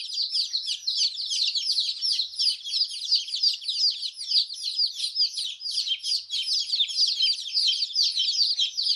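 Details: A brood of baby chickens chirping, an unbroken stream of piercing high peeps from many chicks at once, loud and even throughout.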